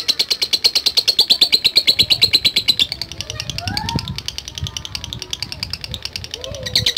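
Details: Lovebird drawn out by a lure recording gives a fast train of high ticking chirps for about three seconds. The calls then turn softer and more broken, with low rumbling noise underneath.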